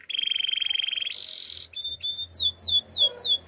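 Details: Russian canary singing a fast rattling trill that shifts into a higher buzzy roll, then a steady whistle and a string of sharp downslurred notes repeated about three times a second.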